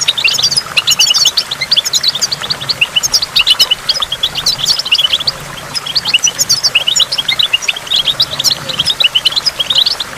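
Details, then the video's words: Goldfinch at a waterfall among water drops, giving fast, high, twittering song phrases packed with sharp chips and short trills, flowing almost continuously over a quiet hiss. "in the waterfall stimulates goldfinch and water drops"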